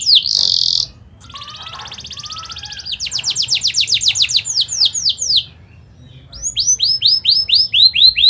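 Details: Canary song used as a lure for young birds: loud harsh burst, a quieter buzzy roll, then rapid descending chirps, a pause, and upswept repeated notes.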